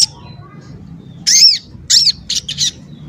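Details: Crimson sunbird, a bird kept as a singing tutor: a few short harsh high squeaky notes after a quiet start, with a faint low background hum.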